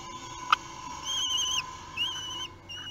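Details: Common kestrel chick, three weeks old, begging as food arrives at its Théding nest in France on 8 June 2021: a sharp tap, then long, quivering high whines, each about half a second, over a faint hum.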